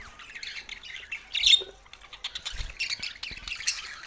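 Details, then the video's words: Budgerigars chattering with a loud squawk midway among quick, scratchy warbled chirps. "Budgies Sounds for Lonely Happy singing"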